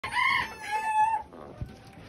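A pheasant-chicken hybrid rooster gives a short, hoarse crow of about a second in two strained, high-pitched parts. It trails off into faint background noise.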